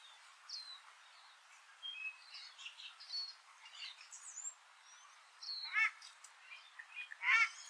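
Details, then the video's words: A Paradise Shelduck on a farm in the Maungakotukutuku Valley, New Zealand, on an early winter day gives two loud, shrill, rasping calls near the end. A steady background of twittering and whistling songbirds runs throughout. "Paradise Duck /Pūtangitangi"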